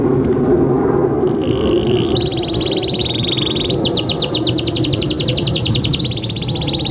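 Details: Canary song played as a tutor for young birds and silent canaries: a sustained fine buzzy trill steps up in pitch, then breaks into rapid repeated falling sweeps, with constant low background rumble.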